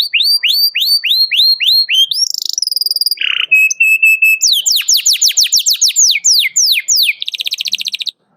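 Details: Canary singing energetically to call a rival, a song used to prompt young canaries to learn; rapid repeated upward-hooked whistles, then steady tones, a fast run of downward-sweeping notes, and a closing buzzy trill.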